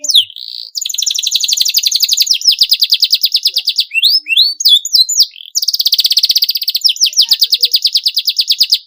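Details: Canary in clean, long, lively song: long rapid trills of pulsed notes, interrupted by a cluster of fast descending chirps, then resuming the trill.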